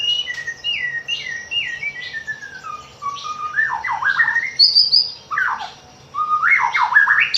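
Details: White-rumped shama song used as a lure to prompt other shamas to sing, for morning and evening; clear descending whistles in a series, then rapid swooping, jumpy phrases rising and falling in pitch.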